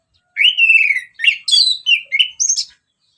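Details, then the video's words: Orange-headed thrush in ngeplong song: a long sliding whistle, then rapid varied notes that climb higher, in one continuous phrase of about two and a half seconds. "Kicauan Anis Merah Bikin Emosi Dan Gacor"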